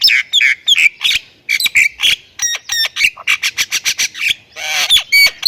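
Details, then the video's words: Thailand-type Javan myna in vigorous 'isian' song: mixed harsh squawks, rapid clicking rattles and sliding whistles, delivered at a fast, irregular pace. "MERINDING DENGAR OCEHAN BURUNG JALAK INI || Jalak Kebo Thailand Gacor Full Isian"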